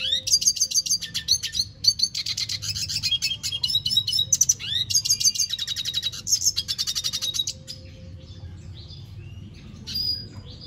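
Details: Red siskin in full, sustained song, a dense run of high twittering and buzzy notes with rapid trills and chattering phrases, pausing briefly before a final short note, with a low steady hum beneath.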